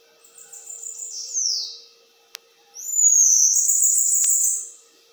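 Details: Bananaquit singing in the metralhadora song style: a high thin phrase sliding downward, a pause with a single click, then a loud sustained buzzy high-pitched trill lasting about one and a half seconds, over a steady low hum.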